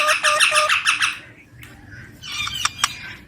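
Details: Baby Indian ringneck parakeet, a pet described as a talking desi parrot, gives a fast burst of harsh, rasping chatter repeated several times a second, then quieter scratchy notes and two sharp clicks.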